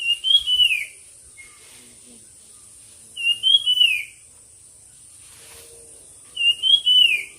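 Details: Songbird competing in a bird song contest: three clear, rising-then-falling whistled phrases, about three seconds apart, with faint softer notes between and a steady high hiss.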